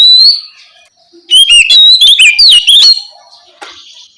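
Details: Oriental magpie-robin giving ngeplong song at night as a lure for young spotted magpie-robins; a long whistle, a pause, then a lively run of rising and falling whistles and sharp chips lasting about a second and a half.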